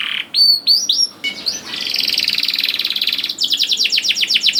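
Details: Song of a canary, played to coax young canaries into singing: a few sharp rising whistles, then a long buzzy rattle leading into a quick series of descending chirps.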